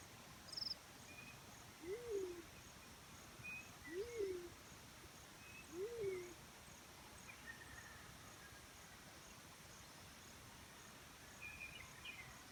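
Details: Black-chinned fruit dove heard in the wild giving three low arched coos, each rising then falling, repeated about every two seconds, with scattered thin high bird chirps in the background.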